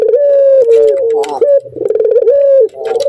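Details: Turtle dove male, in breeding condition and calling at a female: long even low coos alternating with quick rolling chuckles, the tones held then gently dropping at the end, recorded indoors.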